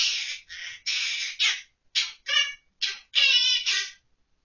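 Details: Monk parakeet kept as a pet, October 2023, singing children's tunes like Ppo Ppo Ppo and San Tokki from memory. Rapid run of about ten gravelly, speech-like syllables, mostly evenly paced, with little background noise.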